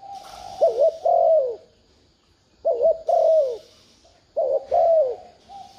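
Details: Spotted dove cooing to stir a caged decoy bird into calling. Three deep two-part phrases follow each other, each a trembling short note then a sliding downward coo, with light background hiss.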